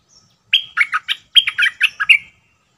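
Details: Sooty-headed bulbul, a wild bird, singing on 29/08/64: one quick phrase of about eight bubbly, slurred notes, starting with a high sustained whistle and tumbling down in pitch, lasting under two seconds against a quiet background.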